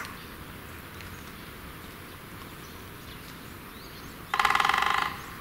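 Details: A great spotted woodpecker pecks a tree like a machine gun, one fast, even roll of knocks on wood lasting under a second near the end, over a steady outdoor hiss.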